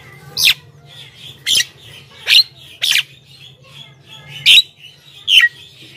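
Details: Javan myna in lively song, played to make other mynas answer: six loud, harsh, wideband squawky notes about a second apart, over a faint low hum.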